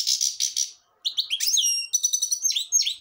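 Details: Grey-crowned goldfinch in song. It opens with a few harsh, buzzy notes, falls briefly silent, then breaks into a rapid tinkling warble of high chirps, slurred whistles and trills.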